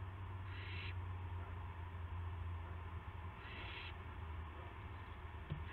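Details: Owl filmed by a live camera at 8:00 PM, March 18, 2016, as a gopher is brought to its mate; a couple of harsh hissing bursts, the second longer, over steady low hum.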